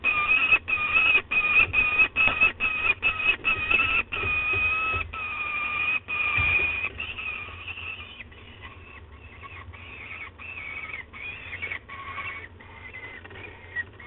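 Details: Peregrine falcon calling at the nest at De Mortel on the afternoon of 5 June 2020: rapid series of strained harmonic wails, about two per second, loud for six seconds, then fading into softer, scattered calls.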